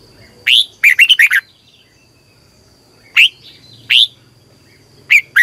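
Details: Red-whiskered bulbul, a caged Vietnamese bird being trained to sing in the morning: a quick cluster of bright slurred notes, then single sharp upward-swept chirps spaced about a second apart.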